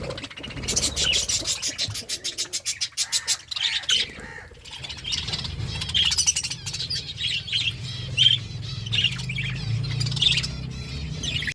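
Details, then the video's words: Budgies eating while chattering, with a run of rapid, evenly spaced clicking notes near the start, then steady warbled chirps and squeaks over a low rumbling background, with occasional wing flaps. "Budgies eating food birds chirping sounds"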